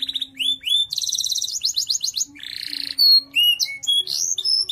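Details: Singing canary, a bird kept for song contests at practice and major events and used to tutor other birds; varied high song of whistled slides, fast buzzy trills and sharp chirps, with rapid note changes throughout.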